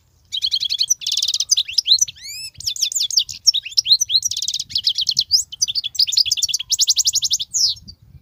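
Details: Wild European goldfinch singing without pause, including the 'bitbitat' phrases: rapid, high, tinkling twitters and buzzy trills mixed with quick rising and falling slurred notes, all packed densely over about eight seconds with no other clear sounds.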